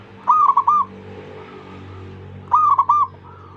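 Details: Zebra dove song meant to get other zebra doves singing: two short phrases of three bright cooing notes about two seconds apart, each followed by a fainter, distant answering coo, with a low hum beneath.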